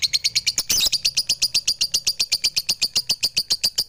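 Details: Lovebird giving a fast, steady run of high, clipped chirps, about four per second, with a brief louder chattering burst near the start. The chirping is described as melodious and fills the home with a forest-like feel.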